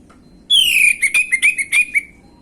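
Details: Bait recording of an orange-headed thrush for untrained birds: a long downslurred whistle, then a rapid string of about seven short, pulsing whistled notes on a steady pitch.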